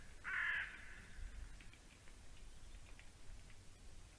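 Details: White-tailed eagle pair at their nest in Slītere National Park, Latvia, at 7:40 am on 12 October 2020. The female is in a courting mood while the male restores the nest. One harsh, hoarse call note rises briefly over steady background hiss.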